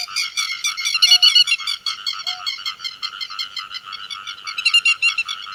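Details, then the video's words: Grey-headed lapwing calling its flock, played as a lure for netting: quick, rasping notes tumbling over one another, their pace and loudness rising and falling, with a low tone heard twice early on. "Tiếng Chim Te Vàng Gọi Bầy"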